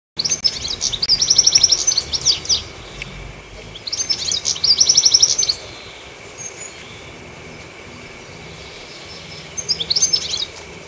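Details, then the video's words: Goldfinch perched on a treetop, chirping in three bursts of rapid, high, tinkling twitter, each about two seconds long and separated by quiet pauses, over a faint steady background hum. "Chirpy Goldfinch On The Tree Top"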